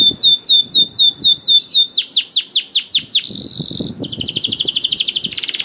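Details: Canary singing, meant to get other canaries singing: quick descending chirps, slower deep swooping notes, a short buzzy hold, then a rapid dense trill, with faint low background clatter.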